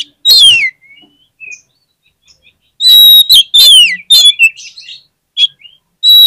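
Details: Oriental magpie-robin song used to coax quiet birds into singing: loud ringing whistles sweeping downward in repeated bursts, mixed with sharp chips and brief softer notes between.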